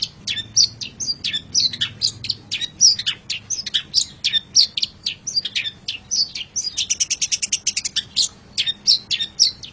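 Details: Long-tailed shrike training master for pet birds: dense, fast chatter of sharp scratchy notes and brief whistles, building into a rapid, even trill near the end.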